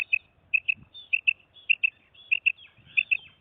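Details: Calls of a female quail (madi batair): crisp paired high-pitched notes in quick succession, about seven doublets in a row at an even pace. A faint low thump underneath.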